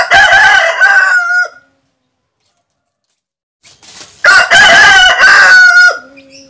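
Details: Two crows from a pair of domestic roosters: a loud harsh harmonic crow lasting about a second and a half, a two-second silence, then a second long ringing crow ending in a low trailing note.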